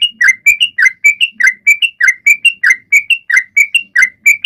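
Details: Sooty-headed bulbul song to stimulate other birds to sing: crisp repeated phrases of a low down-slurred whistle followed by two rising higher notes, cycling about once every half second.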